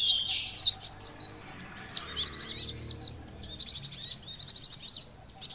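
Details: Common iora lure calls, noisy: dense, excited bursts of high chattering and twittering notes in three long runs separated by brief pauses.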